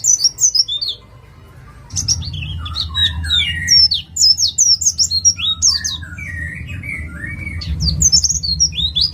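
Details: East Javan white-eye singing vigorously, kept as a lure to prompt other birds to sing: rapid high chirps and twittering slurred notes in dense bursts, a short pause near two seconds, steady low hum beneath.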